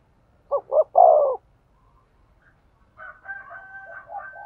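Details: Spotted dove cooing to stimulate a male: one short, low, throaty three-note coo phrase, then a quieter, higher, drawn-out tonal sound mixed with softer coos.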